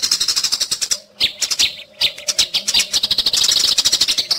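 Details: Eurasian tree sparrows squabbling in a fight, a recording meant for tutoring caged songbirds: fast, shrill, buzzy chirps in uneven clusters, pausing briefly around one and two seconds before a denser, louder rush at the end.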